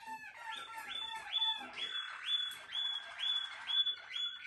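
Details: Captive-bred Malinois Waterslager canary singing a steady tour of rising, bubbling whistled notes, each repeated about every half second and backed by a lower rolling undertone.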